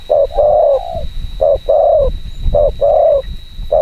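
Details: Decoy spotted dove giving rapid provoking coos to stir up wild birds, each phrase a clipped note followed by a drawn-out, slightly descending coo, four phrases in quick succession over a constant high whine.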